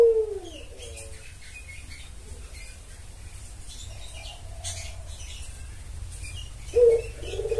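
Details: Spotted dove lure call used to draw in males: a low, rounded cooing phrase opens, a fainter coo follows midway, and a stronger coo returns near the end, over a steady low rumble and faint high chirps from small birds.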